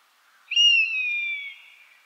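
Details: An Eastern Buzzard, recorded on 23 January 2011 in Shioya, Tochigi, Japan, gives one drawn-out, mewing whistle that starts high and clear, then slides gently downward and fades after about a second and a half. No other sounds.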